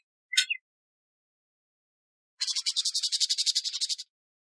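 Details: Canada jay, also called gray jay, calling: one short sharp chirp, then after a pause a harsh, buzzy rattle of rapid pulses lasting about a second and a half, against a silent background.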